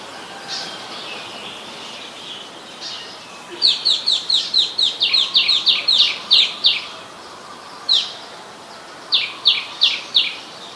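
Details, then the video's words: Adult Common Tailorbird, a common resident, recorded in Ubon Ratchathani, Thailand, on 29 February 2020. Its sharp, high, piercing notes come in rapid runs of about three per second, broken by short pauses. A few faint high chirps sound before the series begins. "นกกระจิบธรรมดา (Common Tailorbird)"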